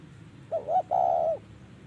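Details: A single 'thổ'-style phrase from a spotted dove during decoy trapping in Vietnam, 2023: two quick soft notes, then a long sustained hollow coo that falls slightly at the end.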